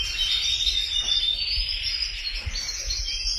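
Canaries sing a dense, unbroken high warble of rapid trills and thin whistles, with a faint low rumble underneath.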